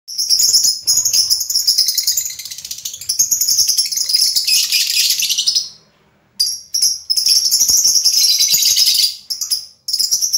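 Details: Lovebird singing in a dense, high-pitched chatter of rapid buzzy twitters and squeaks, broken by a short pause near six seconds before the busy twittering resumes.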